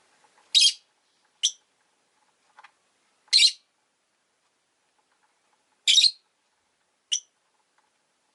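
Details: Pet rosy-faced lovebirds, two huddled at an entrance, give loud rasping chirps mixed with shorter, thinner squeaks, irregularly spaced, plus a few faint soft clicks.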